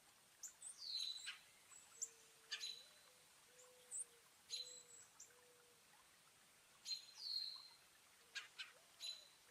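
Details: Feeder birds in a New Jersey garden, northeast USA, on 5 April 2024, a partly cloudy 36–50°F day with a 4.8 magnitude earthquake: scattered thin, high chirps and sharp tweets in short bursts, with faint low drawn-out tones underneath.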